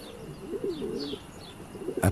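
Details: A pigeon in an old church bell tower in a small Austrian town in summer gives soft, low, rolling coos. Faint high chirps of other birds are heard, and a sharp knock ends the clip.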